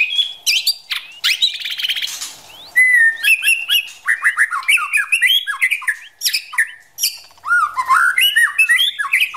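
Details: White-rumped shama, female prompting a male to practise singing: a varied run of loud whistled phrases, rising and falling slurs and rapid buzzy notes, with a harsh rattling burst early on.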